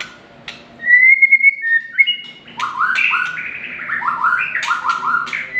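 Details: White-rumped shama delivering a pure, steady whistle, then stepped notes and a quick series of short rising chirps with occasional sharp clicks.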